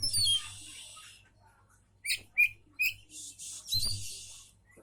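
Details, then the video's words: Oriental magpie-robin singing, meant to draw answers from other magpie-robins: a noisy high rasping burst, then short separate whistled and slurred notes, ending in another scratchy burst, with a constant low hum. "Kacer mana yg gk akan nyaut denger suara burung kacer ini"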